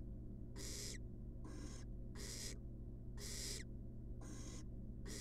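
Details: Wild barn owl chick in a monitored nest box, begging while being fed a rat: harsh, broadband hissing screeches, each about half a second long, repeated roughly once per second over a steady low hum.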